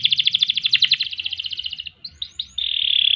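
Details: Canary song with a fast pulsed trill slowing toward its end, a brief pause, short upslurred notes, then a steady high whistled tone.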